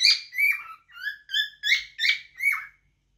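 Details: Cockatiel warbling: six connected whistled notes at a steady pace, alternating rising and falling glides with strong overtones, then silence.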